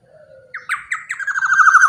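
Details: Large-bodied black-naped oriole, its voice used to lure other orioles, opens with a soft low note, then gives sharp strident notes running into a quickening nasal, buzzy rattle; no other sounds intrude.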